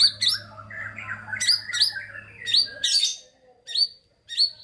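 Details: Shama song meant to stimulate sluggish shamas to sing. Sharp, high chirped notes alternate with lower twittering, then spaced, clipped upward-flicking notes repeated about every half second near the end.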